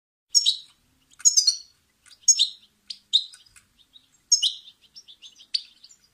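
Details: Goldfinch song phrases from a song tape meant for teaching chicks: short bursts of bright, high twittering notes with liquid trills, separated by brief pauses about once a second, with a quiet background.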